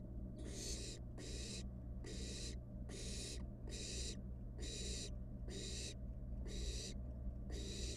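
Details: Wild barn owl chick in a nest box, handling its dinner, produces a regular series of harsh hissing snores about every 0.8 seconds, nine bursts in eight seconds, over low continuous hum.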